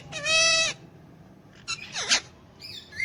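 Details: Hand-tame Alexandrine parakeet, a pet alongside ringneck parakeets, talking in Urdu/Hindi: one sustained, richly harmonic drawn-out vowel-like call, then scratchy bursts and a brief rising whistle near the end.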